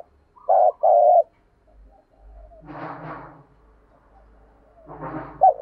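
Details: Spotted dove decoy bird giving the thúc rousing call to prompt other doves: two quick mellow coos, then broad rustling, scraping bursts and a final short coo.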